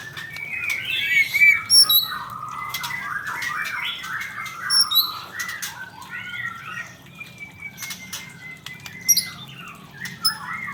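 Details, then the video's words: Male white-rumped shama giving a busy, varied run of mid-pitched slurred whistles and chatters, with scattered very high thin notes and sharp clicks over a low background hum. "murai kicau"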